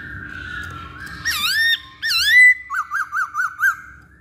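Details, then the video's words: Masked laughingthrush lure song intended to make other birds sing: a long whistle, two rich swooping slurred notes, then five quick bouncing whistled notes in a row. "Pancingan Poksay Hongkong"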